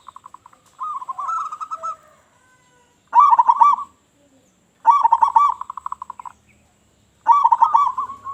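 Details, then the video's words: Local zebra dove in full, loud voice, sung to lure other doves: four rolling cooing phrases, each opening with quick stuttering notes and running into a pulsed, trilled coo about a second long, separated by short silences. "Perkutut Lokal Gacor Suara Besar"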